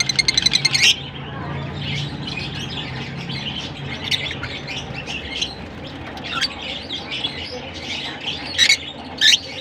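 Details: A burst of quick rattling chirps opens, then Larkana lovebirds chatter softly in high twitters, with a few sharp squeaks near the end over a low hum.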